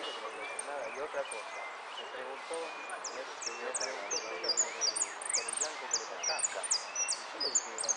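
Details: Contest saffron finch, yellow 'sin cierre' category, third place at the Zona Norte singing contest on 01 11 15: people talk through the opening, then a quick run of shrill, high, downward-slurred notes fills the second half.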